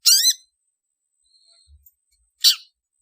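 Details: Long-tailed shrike call, played as a lure to gather birds: two short, harsh, buzzy bursts about two seconds apart, the first with a rapid chattering rise, with near silence between them.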